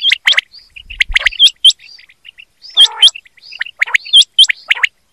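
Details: Quail calling, made for hunting: dense mix of sharp hooked notes, soft chirps and a raspy harmonic burst, with a faint low thud early on.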